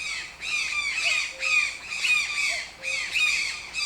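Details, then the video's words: Toucan giving loud, harsh, rasping squawks in short bursts about every half second to second, each rich and buzzy with a rising then falling bend, against a quiet background. "TOUCAN SOUNDS - Toucan Sound Effect"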